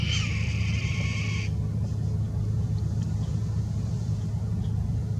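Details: An agitated red-tailed hawk at an airport gives one hoarse, high, slightly falling scream lasting about a second and a half, over a steady, heavy engine rumble.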